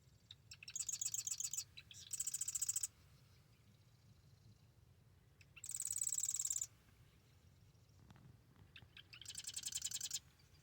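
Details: A marsh wren at the Arcata Marsh Bird Sanctuary sings in the morning: four bursts of dry, high-pitched rattling trills, each about a second long and separated by short silences, with faint low background noise.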